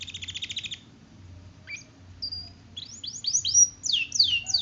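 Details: Canary singing as a master tutor song, kenari gacor: a fast trill of high pulses, a pause with a brief note, then a series of repeated downslurred whistled phrases, rapid and rich.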